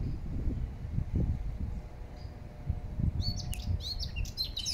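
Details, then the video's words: Blackcap singing in Regent's Park, London. For about three seconds only low, rumbling background noise is heard. Then a fast burst of high, varied warbling notes follows, with quick chirps and slurs packed closely together until the end. "beautiful Blackcap sings"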